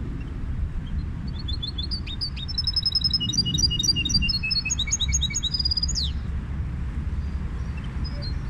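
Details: Goldfinch hybrid delivering a bright, rapid song of short whistled notes repeated in runs and shifting pitch, closing with a fast downward swoop, with low steady hum behind.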